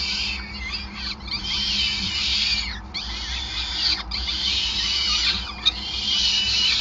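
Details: At a Groningen nest, 5 May 2020, peregrine falcons call through a feeding: a continuous stream of shrill, quavering notes broken by brief dips, with a constant low electrical-sounding drone underneath.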